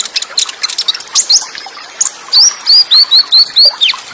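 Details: Olive-backed sunbird in the Tembakan Cililin style, with quick rolls and close pauses, over flowing water: scattered high tweets give way to a row of loud, sharp, rising whistled notes repeated about four times a second.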